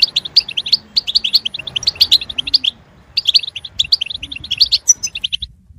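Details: European goldfinch in song, used to prompt other goldfinches to sing: lively runs of sharp, twittering chirps broken by brief pauses, ending with a few scattered notes. A faint low murmur lies underneath.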